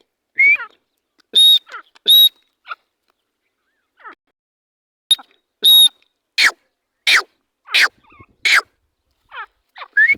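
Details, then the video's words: Partridge pair giving loud, sharp calls: clear ringing notes alternating with broad harsh bursts, repeated roughly every half second to second, interspersed with quieter slurred chirps. "teetar sound/teetar ki awaz"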